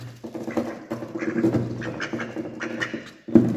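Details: Male and female ducks feeding together, wary of the person feeding them, quack in a busy run of harsh, nasal calls, several overlapping, with a louder burst at the end.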